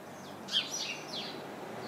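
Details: House sparrow in a bush crowded with other house sparrows, giving one sharp chirp followed by fainter, blurred chirping in the background.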